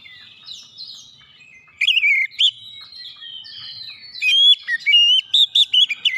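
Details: Oriental magpie-robin singing to goad other magpie-robins into song: thin, high sliding notes, then a few loud, curling whistles, and a closing run of rapid, clipped whistled phrases.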